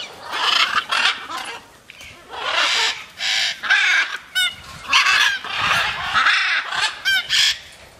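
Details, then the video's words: Free-flying macaws calling repeatedly, a steady run of coarse, grating squawks mixed with a few brief wavering higher notes. "flying macaws"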